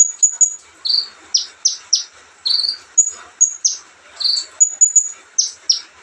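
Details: Olive-backed sunbird in easy song: thin high whistles, short buzzy notes and sharp falling chips spaced about half a second apart, against soft background hiss.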